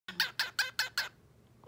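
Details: A happy, amused pet cockatiel imitates his owner's laugh with five quick, breathy 'ha' bursts in a steady row.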